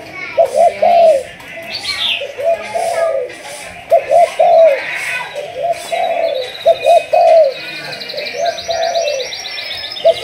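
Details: Malaysian spotted dove of the 'thúc gù' coo line, used for decoy training, gives repeated sequences of short stuttered coos ending in longer mellow notes. Small birds twitter and trill above it.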